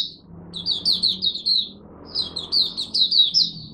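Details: Oriental white-eye from Malaysia, kept as a songbird, in its first warm-up of the day: two bursts of quick, high, slurred chirps, each over a second long, with a short pause between and soft room hum.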